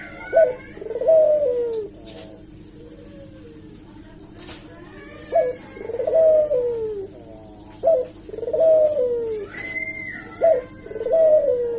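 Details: Eurasian collared dove calling as a lure to draw replies from other doves: low coos, each a brief clipped note then a longer downward-sliding coo, repeated at irregular gaps of about two to three seconds, with a faint thin squeak between phrases.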